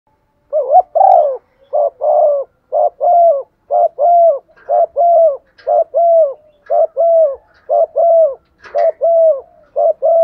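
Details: Spotted dove, a decoy bird calling the flock in the morning: steady run of mellow mid-pitched coos in short paired phrases, about one per second, with faint higher clicks between.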